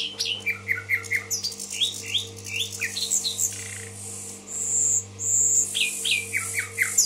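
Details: Nightingale, called bulbul, recorded in Tashkent: series of rising slurred notes repeated in short runs, then two long pure high whistles and more rising notes, with a constant low mains hum underneath.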